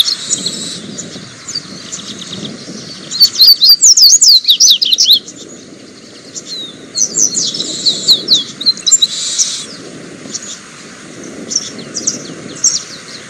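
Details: Double-collared seedeater singing: loud bursts of rapid, buzzy twittering and high trills around three to five seconds and again near eight to nine seconds, with softer repeated chatter in between over a faint low background hum.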